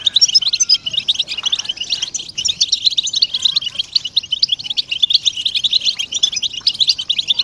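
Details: Chorus of European goldfinches chattering together to encourage silent males to sing, with readiness and mating calls; an unbroken stream of quick, high, tinkling twitters and short buzzy trills, fairly loud throughout.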